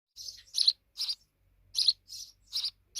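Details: Sparrow fledglings, grown-up babies, giving short high chirps in uneven bursts, some doubled, with brief gaps between.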